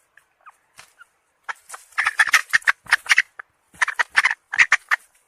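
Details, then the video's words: Hen giving a few soft, faint clucks, then bursts of rapid, harsh, raspy notes in uneven clusters, loud and chattering, with brief pauses between groups. "Suab Poj qaib seev zoo heev"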